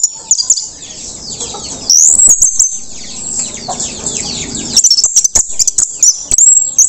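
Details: Post-moult orange-headed thrush in teler song, a nonstop stream of high thin whistles, squeaky trills and quick twittering runs, loud and close.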